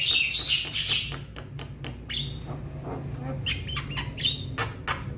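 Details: Javan myna youngster calling its companions: loud grating squawks and high whistles in the first second, then quieter irregular clicks and short harsh notes, over low background noise.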